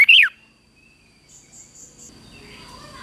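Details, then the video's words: A red-whiskered bulbul in morning song training for fighting song gives one loud, quick, warbling phrase that swoops up and down. Faint high chirps and a thin steady whine follow in the quiet. "chào mào hót sáng | chào mào hót đấu"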